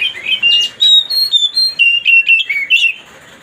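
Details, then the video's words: White-rumped shama song used to provoke another bird: a fast sequence of clear whistled notes, some steady and some sliding up or down, delivered in short bright phrases with brief gaps. "mancing suara kacer biar emosi"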